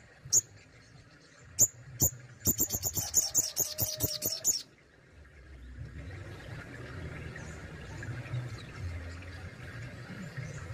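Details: Captive Crimson Sunbird (sogon) in Indonesia in its besetan and tembakan singing: a few sharp, very high isolated notes, then a rapid burst of high ticking chips for about two seconds, followed by low background hum.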